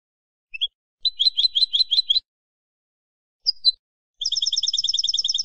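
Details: European goldfinch of the wild-type campero style, recorded for teaching captive birds, sings high tinkling notes, a run of quick twittering phrases, a short pause, then a fast even trill against complete silence.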